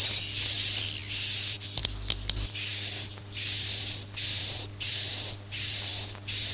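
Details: Swiftlet lure for farming, the suara inap "Masal" roosting sound: high hissing whistles, interrupted early by a short stretch of clicks, then about six regular bursts of roughly half a second with quick gaps.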